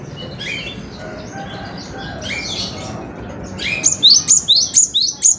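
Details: Cinereous tit (gelatik batu) singing: after a few seconds of faint, scattered high chirps, a loud run of sharp, rising, whistled double notes repeats quickly, about two per second, to the end.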